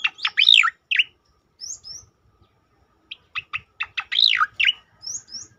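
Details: Striated grassbird (cicakoreng) singing its tembakan song style, used to train and provoke other birds: sharp, rapid descending notes in clustered bursts, with short twisting whistled phrases and a few very high thin notes between pauses.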